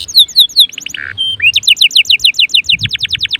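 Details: Canary singing to encourage other canaries to join in: sharp chirps, a low buzzy note and a thin whistle, then an upslurred note leading into a fast, even trill of bright notes.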